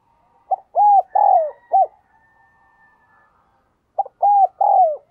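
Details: Spotted dove kept as a decoy, calling to attract wild birds; one full phrase of a short note, two long arched coos and a clipped end note, then a pause and a second phrase starting.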